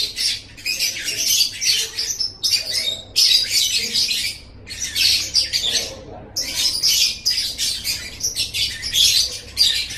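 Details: Lovebird training song: loud, harsh, high chattering squawks in long dense phrases, a few brief silences between them, and a faint low hum in the background.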